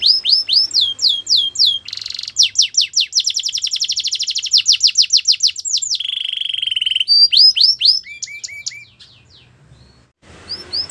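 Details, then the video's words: Canary singing for training: rising chirps, then a long, very fast series of falling whistles, a low rolling trill, and a few scattered chirps before the song fades into faint rustling. "The best canary sounds | Canary song for training"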